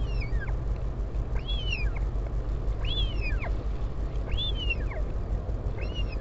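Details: Northern royal albatross at the Taiaroa Head colony near Dunedin, New Zealand, during a parent's visit to its chick on 16 July 2019. Four or five arched, whistled calls rise then fall, about every 1.5 seconds, over a steady low rumble.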